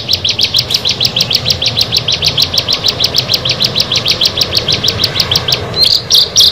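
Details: Ciblek, the bar-winged prinia, among six birds meeting, delivering a fast, dense run of sharp high chips, about three per second, slightly uneven, ending with a few higher, drawn-out squeaky notes.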